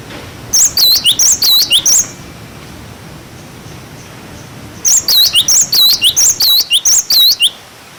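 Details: Cinereous tit song for training young birds: two bursts of rapid, bright whistled notes, about four per second, each burst lasting around one and a half seconds, separated by a quiet pause.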